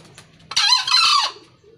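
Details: Wild Green Junglefowl from Kebumen, Central Java, gives one short, hoarse, rasping crow, about three-quarters of a second long, against a quiet background.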